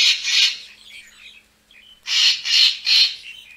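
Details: Lure recording of a racket-tailed treepie: two loud harsh squawks, softer chattering, then three rasping bursts in quick succession.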